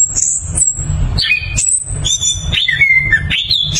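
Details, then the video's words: Rolling 'ngeroll' song of an orange-headed thrush: a very high, drawn-out whistle, then a run of clear notes stepping down and back up, delivered fast and loud against steady low-pitched thudding. "ANIS KEMBANG GACOR NGEROLL POWER JERNIH"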